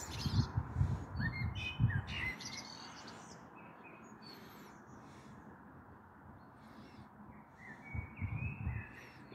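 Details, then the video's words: A common blackbird sings at dusk on 21 April 2022, heard from a balcony before a possible thunderstorm: fluted phrases with high chattering ends, broken by several low thumping bursts and a stretch of quiet. "Sehr schöne Amsel mit Gesang am Abend"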